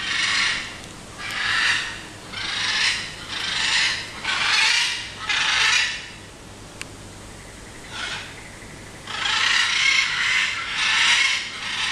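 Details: Rhythmic, breathy scraping strokes, roughly one per second with brief pauses, like something being rubbed or raked, and no clear animal voice.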